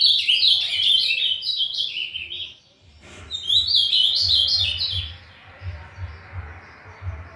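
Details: Young pardo Azulão starting to develop its song, giving two bursts of quick warbled, chirpy phrases separated by a brief pause, then quieter background with low thumping noises.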